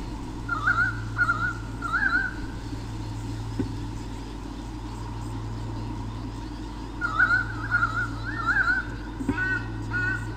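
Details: White-bellied sea eagle parents on a nest camera in Sydney Olympic Park, Australia, 2013, defending territory from swooping currawongs: two series of repeated wavering honks separated by a quiet gap, ending with clicks, over continuous hum.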